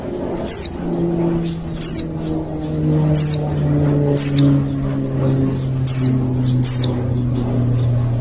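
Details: Wild Oriental white-eye, played to provoke an answer from other white-eyes: a string of high, descending whistled notes about every one to one and a half seconds. A loud, low, shifting engine-like drone runs beneath them throughout.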